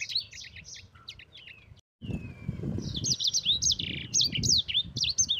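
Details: Yellow-fronted canary performing a rolling training song: high rapid chips and a falling whistle, a brief silence, then a lively stream of bright looping whistles over a low murmuring background.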